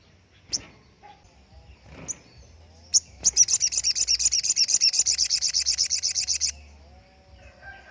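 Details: Crested jay (sogon) standard 'tembakan', used as master material for training songbirds: three spaced sharp notes, then a loud rapid rattle of about thirty even high notes over three seconds, ending in quiet.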